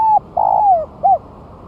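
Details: Spotted dove, one month after its moult, placed on the ground and singing strongly for use as a lure; a mellow coo, a long rolling note sliding downward, then a short final coo.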